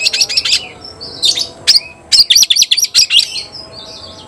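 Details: Oriental magpie-robin challenging a rival to fight, giving quick clusters of harsh buzzy notes broken by short thin whistles, then a run of sharp chattering phrases and a soft trailing whistle.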